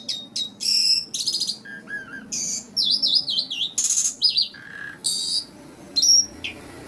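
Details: Asian pied starling (jalak suren) song meant to lure nervous starlings: loud jumbled mix of harsh rasping bursts, wavering whistles and lower throaty notes, delivered in rapid irregular phrases.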